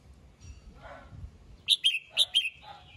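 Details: Red-whiskered bulbul singing in the morning to call the flock, used to stir wild-caught birds: one quick burst of four bright, clipped whistled notes, slurred up and down and nearly evenly spaced, over faint low background rumble.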